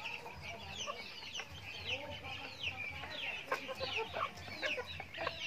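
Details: Backyard chickens during feeding: high downward-sweeping chirps crowd together, joined by lower arched clucking notes and a few sharp clicks.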